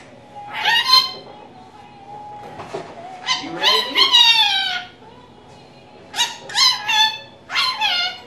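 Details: Pet female rainbow lorikeet talking indoors, repeating learned human phrases; bright, harmonic falling syllables delivered in quick clusters, with a steady tonal hum throughout.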